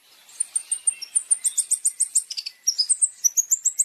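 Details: Long-tailed shrike training song of the masteran type, full of champion fill-in phrases: rapid high, sharp chirps and short whistled notes, about three to four a second, with a brief pause of buzzy trills midway.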